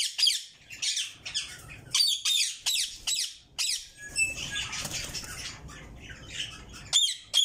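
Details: Yellow Indian ringneck parakeet chicks kept in a cage, giving harsh, raspy squawking calls in irregular bursts with short gaps, some overlapping and noisy, with faint rustling between calls.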